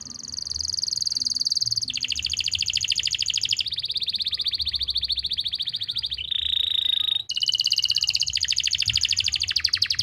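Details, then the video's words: Canary song used as a master recording to coax silent canaries and young birds into singing, from Pati, Central Java: long rapid trills and rolling tours, each held one to two seconds before switching pitch, high and continuous. "masteran untuk memancing burung kenari yang macet bunyi.."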